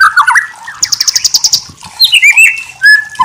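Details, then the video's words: Lively murai batu (white-rumped shama) masteran song: warbled low whistles, a fast chattering burst of high pulsed notes, then swooping descending whistles and a long steady whistled note. "Masteran murai batu terbaik"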